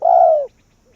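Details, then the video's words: Decoy spotted dove calling wild doves in: one drawn-out, mellow croon about half a second long, steady then dropping slightly at the end, followed by a faint soft note. "Cu Gáy Việt Rút Bổi Về Chung Tàn | suara burung tekukur"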